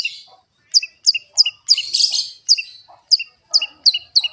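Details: Long-tailed shrike, as a training recording of the bird's song: sharp high chirped notes, each with a lower second tone, repeated in an uneven run of about ten, broken by a louder, denser scratchy burst in the middle.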